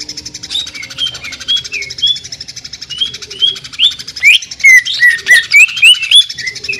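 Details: Greater green leafbird song in jamtrok tembakan, sewing-machine style: a steady fast buzzy rattle carries sharp whistled slurs, sparse at first, then a dense burst of bright up-and-down notes in the second half.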